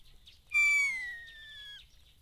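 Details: Common starling in morning mist in the Eifel near Dohr, Germany, giving one long clear whistle that slides slowly downward, bright and rich in overtones, over faint background chatter.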